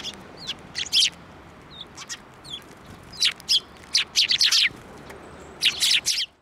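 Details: Sparrows arriving on a hand to be fed at Tenmangu shrine, 15 March 2024: irregular bright chirps, a few thin short notes, then two dense bursts of rapid chirping before the sound cuts off.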